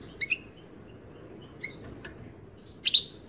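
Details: European goldfinch giving a few short high chirps and thin whistled notes, then a louder bright twittered note at the end, against faint hiss.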